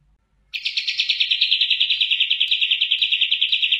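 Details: Oriental white-eye singing a clear, fast trill of high, bright chirps, about three notes a second, sustained steadily for over three seconds after a brief silence.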